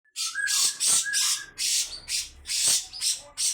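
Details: Grey-cheeked bulbul giving long, harsh 'besetan' calls: a few short whistled notes, then loud, raspy, hissing bursts repeated about every half second.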